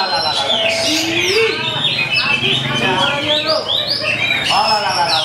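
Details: Oriental magpie-robins (kacer) at a bird-singing training contest, the first- and second-place winners singing against each other. Loud, varied whistled phrases with sliding notes and quick trills overlap throughout, with faint crowd chatter underneath.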